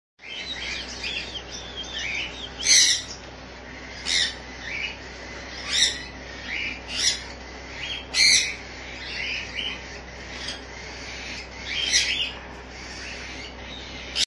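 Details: A caged cockatiel gives short, bright chirps and whistles at uneven intervals, with quieter chatter in between.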